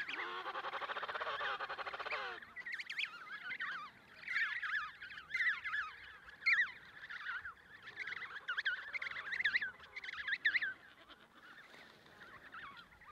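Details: Emperor penguins (Aptenodytes forsteri) at the Snow Hill Island colony, Antarctica, 25 October 2018, adult feeding its chick: a loud, rich, buzzy adult call for two seconds, then the chick's begging call, a rapid run of high, wavering whistled chirps.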